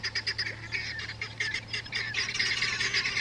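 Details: Guineafowl coming in to the water in the evening before flying off to roost in trees on a little island in the savannah; harsh, rapid chattering calls repeated in a dense, overlapping stream from several birds.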